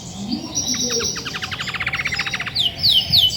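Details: Caged grey-and-white female Belgian canary that sings a lot when ready to brood: a dry buzzy rattle of rapid repeated notes, followed by two clear descending whistles.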